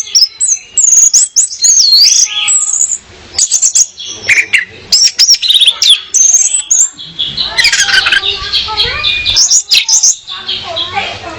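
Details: A female orange-headed thrush sings as a lure for a male, delivering a rich, varied string of looping high whistles, chips and rapid warbled phrases with barely a break.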